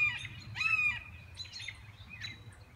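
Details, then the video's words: Red-shouldered hawk calling: one loud, harsh, slightly downslurred scream near the start, then fainter similar notes and short chirps, over a low steady background rumble. "Red Shouldered Hawk Calling"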